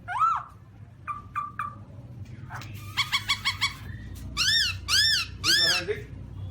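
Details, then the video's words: Black-throated laughingthrush with a downslurred whistle, three quick short whistles, a rapid stuttering series and three loud ringing arched notes, then a low rattle, over background hum. "Black-throated laughingthrush (Garrulax chinensis): Funny Sounds And Funny Dances"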